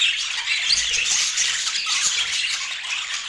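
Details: Budgerigars chirping while eating during a daily feeding routine in natural Scandinavian light; an unbroken, lively blend of high twittering and scratchy warbles from several birds.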